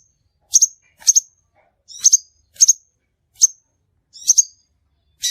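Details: Crimson sunbird calling, recorded as a trapping lure: thin, high chip notes, mostly in doubled pairs, repeated every half second or so, with brief quiet gaps and no other sounds.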